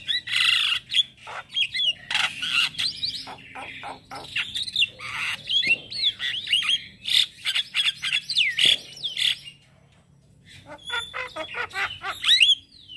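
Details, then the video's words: Male black-winged starling, morning lure and tutor song for starlings: long run of harsh chattering notes and squeaky whistled slurs, a short pause, then thin whistles and chips. "Ocehan jalak Kebo Jantan Buat Pancingan Dan Masteran Burung Jalak Dipagi Hari"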